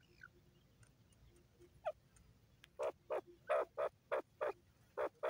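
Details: Grey francolin (teetar) heard against steady background hiss, a few faint thin notes at first, then a quick run of loud harsh repeated notes, roughly three per second.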